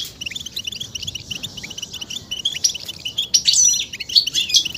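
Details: European goldfinch song with mating calls, used to rouse males into singing: soft repeated high chirps grow into louder twittering with bright, tinkling notes toward the end.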